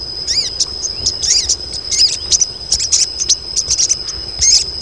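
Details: A group of female crested jays calling to lure males: rapid high chirps with arched, rising-then-falling notes in bursts, over a steady high insect-like whine.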